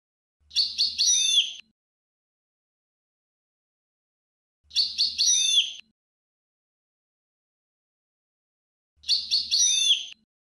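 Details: European goldfinch repeating a short liquid twittering phrase with a downward buzzy flourish, about one second long, three times at roughly four-second intervals, with silence between.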